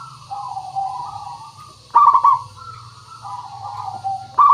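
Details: Local zebra dove cooing as bait to make birds sing: a long soft wavering coo gives way to a sharp bubbling trill burst, more mellow coos, and another burst at the close, with low hum beneath.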